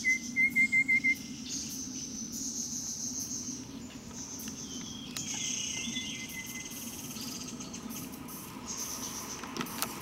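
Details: A Rufous-capped babbler foraging for worms in bushes at Daxueshan National Park, Taichung, Taiwan, on 30 January 2016, gives a quick run of about six even piping notes on one pitch amid steady insect buzzing and faint distant birds.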